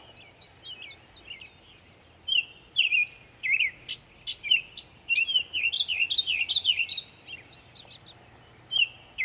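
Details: Northern mockingbird singing a medley of many sounds in Savannah, New York, 23 May 2021; after a quiet start, rapid repeated rising trills, sharp clicks and looping whistled notes pour out in a busy, shifting stream.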